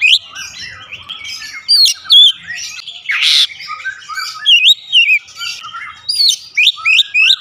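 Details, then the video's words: An Oriental magpie-robin sings a rich medley of fluty whistles, upslurred and downslurred notes and buzzy trills. Phrases come in short, punchy bursts roughly twice a second, with no other clear sounds. "memancing suara Kacer cepat ngeplong rajin bunyi gacor tiap hari"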